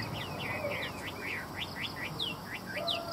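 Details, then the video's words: Chinese hwamei, a bird offered for sale, sings a fast run of loud, clear whistles, each note sliding up or down, about three or four a second, over a soft background hum. "Hoa mi hót giọng hay"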